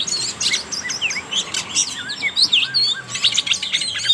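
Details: Lure song of the oriental magpie-robin for prompting speckled juveniles to sing, a dense rapid medley of sharp high chirps, down-slurred whistles and short trills packed tightly together without pause.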